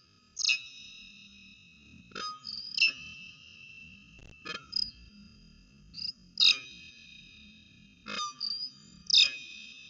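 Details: Peregrine falcons at the Orange CSU nest on 5 January 2020, slow-motion footage included; loud, drawn-out wailing calls with a harsh start and a steady, whining tail, about six bouts spaced one to two seconds apart.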